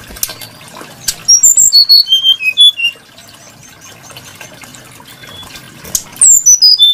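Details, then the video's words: Brown-chested jungle flycatcher song of the kind valued for being varied and melodious: a descending series of clear, pure whistled notes stepping down in pitch, heard twice, amid clicks and a faint watery background. "Burung srdc menarik Hati pendengar nya"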